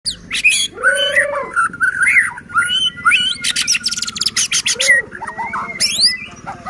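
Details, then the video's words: White-rumped shama in full song, used as a lure to provoke other shamas to sing and make them agitated; loud, varied whistled phrases mixed with harsh rattling bursts and rapid chattering notes, flowing with little pause. "Murai batu gacor AMPUH buat PANCINGAN murai batu agar bunyi JADIKAN burung murai EMOSI"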